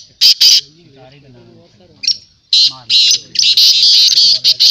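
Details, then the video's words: Black francolin calling at a calling tournament in 2022: a man talks, then loud harsh grating bursts follow in a fast run of several notes, with speech underneath. "Black teetar voice tournament Black Francolin voice"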